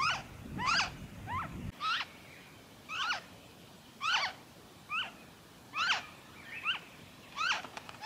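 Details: Noisy friarbird in Victoria, Australia, February 2023: a series of harsh, nasal, downslurred notes given singly and in pairs, irregularly spaced, with a brief low rumble at the start.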